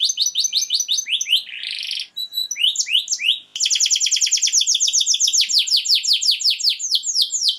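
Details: Canary singing a powerful mating song: series of repeated descending slurred notes, a harsh buzzy burst, brief pure tones, then fast rapid trills of downward-sweeping syllables, all high-pitched and continuous, no other sounds.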